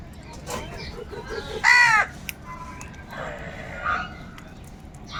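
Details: Crows crowing while searching for food; one loud, harsh, drawn-out caw rings out near the middle, with softer, scattered calls before and after over a steady background murmur.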